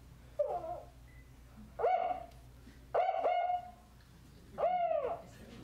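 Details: A female Northern Spotted Owl in Marin, near Point Reyes National Seashore, gives her four-note call: high, clipped hoots about a second apart, each rising then level, much higher than the male's series call.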